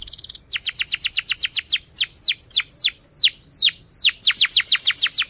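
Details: Canary song: a brief trill, then a steady run of sharply descending whistled notes, gradually slower, ending in another fast burst of falling notes.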